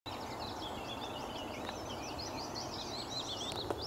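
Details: A Bluethroat at Nieuw Wulven, Netherlands, on 15 April 2007 sings a fast, varied run of high chirps, twitters and short whistled phrases over a steady hiss of background noise. Finding: Bluethroat.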